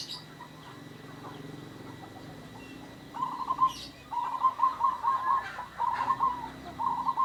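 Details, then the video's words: Local zebra dove, in lively song and prized for a rare, odd, unique voice, gives low burred, rolling coo phrases about a second long, four in a row with short gaps, over a background hum. "PERKUTUT LOKAL GACOR SUARA ,ANEH, LANGKA, ANTIK & UNIK"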